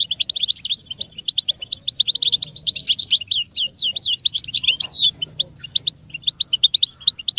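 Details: American goldfinch song for teaching chicks and songbirds: dense high twittering with a brief buzzy trill near the start, then tumbling runs of sharp chirps and slurred notes, ending in spaced single chirps.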